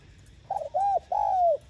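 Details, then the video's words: Spotted dove giving a mellow cooing phrase meant to prompt other doves to call: a brief wavering note, a rounded coo, then a long smooth coo that slowly falls away. "Tiếng Cu Gáy Giọng hay GỌI +THÚC Dục BỔI Kích Bổi Nhanh Nổi"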